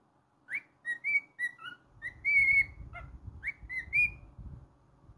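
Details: Whistling pet cockatiel: a string of bright upslurred notes and held tones, some dipping lower, in lively irregular succession, with a soft low rumble in the background.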